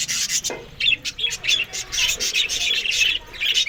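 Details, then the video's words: Australian budgerigars eating green food in the morning; quick bright chirps and short raspy notes come in rapid bursts, mixed with soft rubbing clicks. "Australian Budgies morning Eating Green Food"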